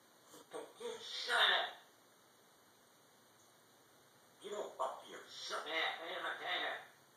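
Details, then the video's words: Grey parrot Toby, an African grey new to his family, mimics bad words and phrases like "shut up" heard at his past home, in two bursts of raspy, wheezy, word-like syllables with a quiet pause, indoors. "African Grey parrot cussing me out!"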